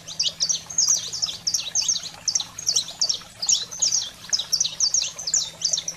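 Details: Energetic 'fogo selvagem' song of a saffron finch, used to excite pet canaries: steady, fast series of bright, high chirps and slurred notes in short bursts, over a faint continuous hum.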